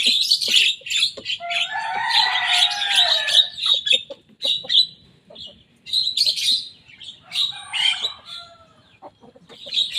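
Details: Javan myna, a young bird reproducing rivals' songs: a long burst of dense, grating chatter with stacked lower whistled strands, then shorter separate scratchy phrases and clicks with quiet gaps.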